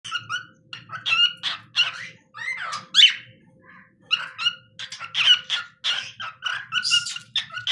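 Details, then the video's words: Pet cockatiel singing indoors: a busy run of bright whistled and chirping notes with slurred rising and falling tones, in short bursts over nearly eight seconds, with faint low hum behind. "Adorable Cockatiel Candy being Super Cute while Singing"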